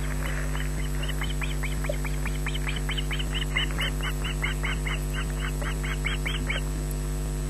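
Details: Osprey chick, the smallest of its brood, begging for food at a Loch Garten nest on 14 June 2012, 18:40, with nothing given. Shrill, clipped shrieks repeat about three times a second throughout, over a constant low electrical hum from the nest camera.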